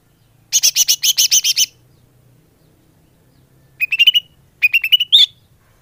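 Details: Lure call of the greater green leafbird for attracting birds: a short buzzy rattle of about ten notes, then two groups of rising, slurred whistles ending on a sharp upward note.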